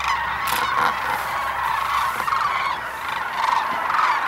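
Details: Sandhill cranes by the thousands feeding in barley at Monte Vista Wildlife Refuge: continuous massed trumpeting and rattling calls overlapping into a steady roar, with a few sharper nearby calls rising above it.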